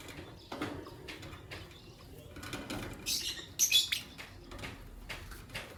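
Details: Morning chirping from green Personata and albino lovebirds: scattered thin, scratchy high notes, a brief louder squeaky cluster toward the end, over soft rustle and faint low background noise.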